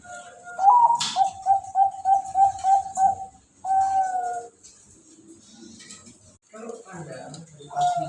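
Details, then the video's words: Male zebra dove, one year old, leg-ringed from Bogor and previously paired, with the voice type called "cristal cowong", sometimes unsteady. It gives a fast run of about seven short clear coos and then a longer drawn coo, followed by quiet murmuring voices. "indukan perkutut suara cristal cowong"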